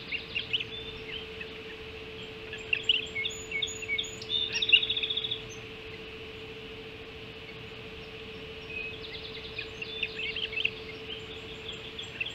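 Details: Ospreys at the Hog Island nest at 05.20 on 7 July 2016, during an early breakfast feeding: bursts of high, sharp chirps and piping notes, rapidly repeated in uneven series, over a steady low hum and faint background noise.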